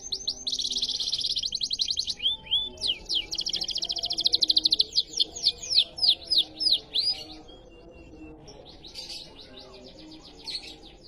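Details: Canary riwikan song: a long, dense, rattling high trill, then a series of loud, clipped slurred notes repeated about three per second, tapering into soft twitters and a final short trill.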